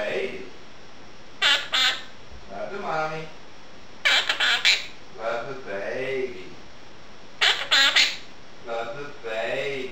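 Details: A pet Quaker parrot, female, talks indoors as dishes are washed; rasping bursts recur about every three seconds, mixed with harmonic, speech-like warbles that rise and fall.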